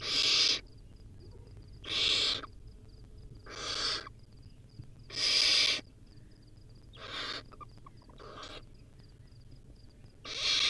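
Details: Barn owl chick, wild, eating a rodent at the nest: seven harsh breathy screeches at irregular intervals, some long and loud, others shorter and softer, over a quiet background with faint high ticks.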